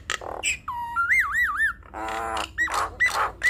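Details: Nias hill myna in full voice, showing off its learned phrases to stir silent mynas: a level whistle breaking into a wavering trill-like warble, a nasal buzzy note, then short squeaky whistled calls.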